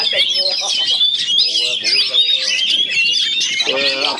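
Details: Oriental magpie-robins battling through connected cages of a Chinese cage; continuous high, rapid warbled whistles with sliding notes, accompanied by people talking nearby.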